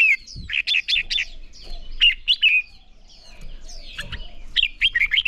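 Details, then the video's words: Training recording of red-whiskered bulbul intended to spur heated fighting song: lively, bubbling warbled notes in quick clusters, a brief pause mid-way, then more rapid chirpy phrases, with faint background birds and low rumble. "Chào Mào Hót | Chào Mào Ché Kích Bổi Nhanh lên lửa - Thúc Chim Sổ Giọng | Luyện Chào Mào Hót Đấu"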